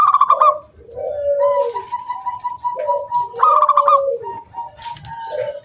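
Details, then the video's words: Local wild zebra dove in full song, used as a lure to get other doves singing: a loud rattling trill at mid pitch drops into a lower drawn-out coo, then a run of evenly spaced mid-pitched pulses, and the phrase repeats. "SUARA KRISTAL KUNG BULAT PANCINGAN SANGAT AMPUH BURUNG PERKUTUT GACOR MANGGUNG"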